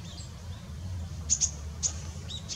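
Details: Long-tailed rosefinch, male and female present, recorded 20 December 2016, giving three or four brief, very high, thin whistled notes in quick succession over a low background rumble.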